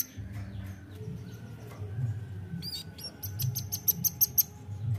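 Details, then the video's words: Nuthatch calling as a lure: a brief quick series of piercing high ticks in the second half, preceded by scattered faint chirps and a low rumble. "PANCING BUNYI RAMBATAN"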